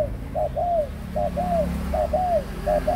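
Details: Eighteen-month-old adult spotted dove cooing clearly: paired phrases, a short note then a longer arching coo, repeated rhythmically about every 0.7 seconds.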